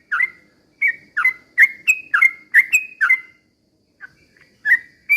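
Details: Sooty-headed bulbul in lively song intended to rouse other birds; a run of rich whistled upslurred notes at a quick pace, a short lull with soft notes, then more whistles, over faint background hum.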